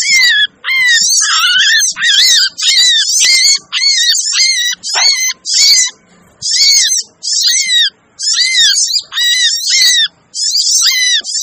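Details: Sogon (sogok ontong) lure recording of noisy, excited calling: rapid bursts of high, twittering, chattering notes with a lower, curling whistled note below. Phrases repeat in quick succession, separated by short gaps. The calls overlap densely and there is no other clear sound.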